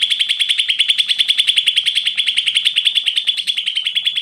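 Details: Greater green leafbird singing steadily, meant to stir lazy leafbirds into song: a long run of sharp, bright ringing notes repeated rapidly, about three a second, without pause.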